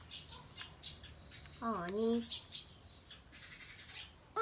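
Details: Hand-tame pet common hill myna let out to fly in its bird room on a November 18 morning. It gives one loud, voice-like, harmonic utterance that dips and then rises, with faint high chirps and twitters around it.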